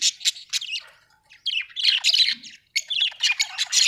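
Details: Budgie chirping in quick, harsh, high-pitched chattering bursts with squawky notes, broken by two short pauses, on a clean, quiet background.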